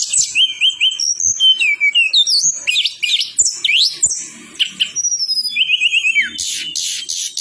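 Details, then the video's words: Striated prinia song played as a lure to set reluctant birds singing: a fast varied run of high whistled notes, short repeated trilled motifs and sharp down-slurs, ending in a buzzy burst. "Masteran dan pancingan tledekan gunung nembak ngerol rapet negen,tledekan males bunyi 100% nyaut"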